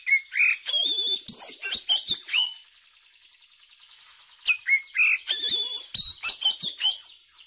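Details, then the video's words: Oriental magpie-robin song as a tutor for young birds: dense, fast whistled and chipped phrases, a rapid buzzy trill in the middle, then more loud varied whistles. "Pancingan Kacer Cepat Buka Paruh, Terbukti Manjur Untuk Masteri Kacer Muda"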